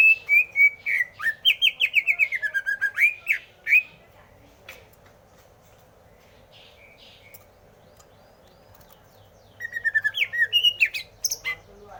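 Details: Greater green leafbird pours out a long, fast warble of twisting whistled notes that rise and fall. After a pause of several seconds a shorter burst of slurred whistles follows.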